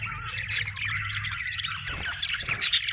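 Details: Budgerigars chirping, described as happy: lively twittering warble with squeaky rising notes and a few sharp high chips, over a steady low hum.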